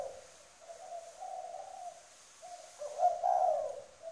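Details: Decoy spotted dove in Trà Vinh, Vietnam, cooing strongly: a run of low, soft coos followed by a louder, fuller phrase near the end.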